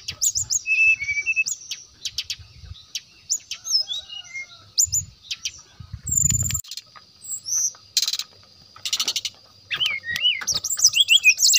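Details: Brown-chested jungle flycatcher in a lively, flute-like song used as a lure to draw rival birds: high whistled notes, rising and falling slurs and short buzzy bursts in quick, uneven succession, with faint low thumps.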